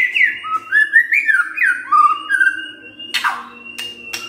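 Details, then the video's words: White-rumped shama performing a lure song for provoking other birds: a flowing string of fluty whistles stepping up and down, followed by a sustained thin tone and a couple of sharp clicks. "Pancingan Murai Batu Bongkar Isian"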